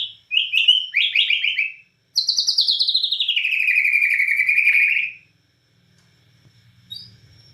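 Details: Singing white-rumped shama, Borneo form of murai batu, in lively nembak cililin style: quick falling and rising chirps, then a long, rapid, buzzy trill that slides gradually lower over three seconds, followed by quiet and a faint high note.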